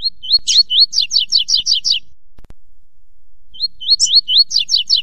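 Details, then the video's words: Yellow-bellied seedeater (coleiro baiano) sings a quick, high phrase of slurred whistles and buzzy notes, pauses about a second and a half, then sings it again. "CANTO DESSE (COLEIRO BAIANO)"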